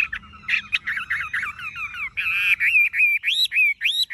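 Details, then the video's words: Chinese hwamei, tame and caged, golden-yellow legs and bill: dense scratchy chatter builds into a series of loud arched whistles repeated roughly every third of a second. "Họa mi thuần đét chân mỏ lông lá vàng ươm - Hót như máy"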